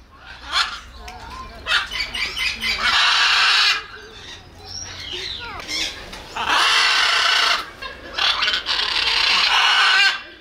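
A macaw gives loud, harsh, raspy screeches, three or four long bursts over ten seconds, with quieter croaks and chatter in between.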